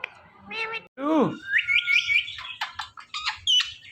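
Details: Pet Indian ringneck parakeet talking: a nasal, harmonic speech-like syllable, then a sharp falling squawk, a long wavering high whistle and a run of short chirpy, buzzy notes.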